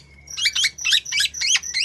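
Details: Local black-naped oriole, a kepodang, in breeding condition and calling actively: four loud, harsh, buzzy rasping phrases, each about a quarter second long, repeated roughly every 0.4 seconds, with a faint low hum beneath.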